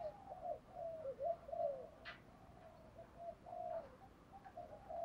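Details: Spotted dove giving a lure coo for stirring up wild doves, in a collection of thúc, calling and fighting styles: a quick string of low, wavering coos at first, then softer, drawn-out cooing with a brief click midway.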